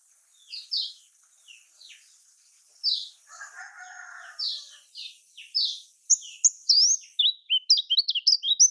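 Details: Kecial kuning, the lemon-bellied white-eye, singing in Lombok style to stir other birds: spaced high chirps with a faint lower chatter midway, building into a quick run of sharp notes at the close.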